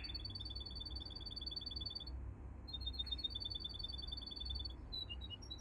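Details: Quiet canary training song: thin, very fast even trills repeated in two long runs with a short pause between, over a steady low hum.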